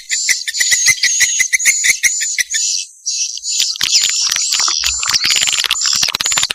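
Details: Swiftlet mating-call lure for attracting swiftlets: quick high twittering notes in a fast sequence, then a brief sustained buzzy tone and a renewed burst of dense chattering.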